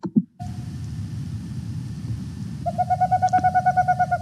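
A male Boreal Owl gives a quick series of low, hollow, toot-like notes, about three each second, over a steady background hum.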